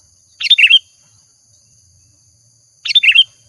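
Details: Sooty-headed bulbul in active song for luring, delivering two brief bubbly phrases of several quick slurred notes, about two and a half seconds apart, over near silence.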